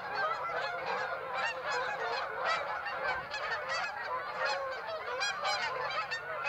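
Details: A flock of Canada geese at Birds Hill on 26 September honking continuously, many overlapping nasal honks rising and falling in a dense chorus.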